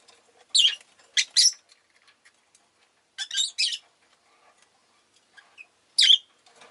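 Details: Rosy-faced lovebirds kept as pets, all fairly vocal that day, give paired rasping chirps in short bursts, about three groups spread over several seconds, with quiet gaps between.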